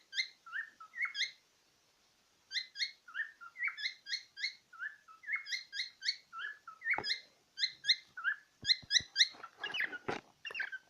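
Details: Pet cockatiel looking into a small mirror, giving quick bursts of sharp, high chirping notes in twos and threes, repeated rapidly with short pauses, plus a few knocks toward the end.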